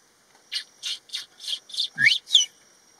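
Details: Crested hawk-eagle resting on a tree: a series of about seven sharp, high, piping notes spaced roughly a third of a second apart, the last two rising and more whistled, with a quiet murmur at the start.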